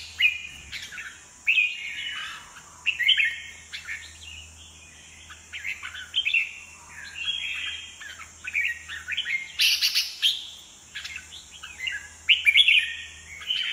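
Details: Energetic, dominating song of a red-whiskered bulbul spreading its wings and bouncing on its perch: a long run of quick varied whistled and chirping phrases, with one harsher burst midway, over a constant high hiss and faint low hum.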